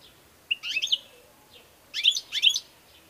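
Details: European goldfinch, kept bird, singing two short bursts of tumbling, tinkling twittered notes with a quiet pause between them.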